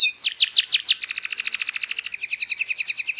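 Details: Canary in long continuous song, used as a tutor to teach young canaries to sing: a few fast rising sweeps, then a rapid, even trill repeated about three times a second, bright and high-pitched.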